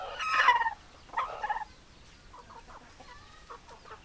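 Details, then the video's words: Chickens: a loud, harsh, rasping squawk opens, then a second shorter squawk, then a run of soft, quick clucks that trail off over low background noise. "Chicken Sounds Noises Hens Clucking Roosters Crowing"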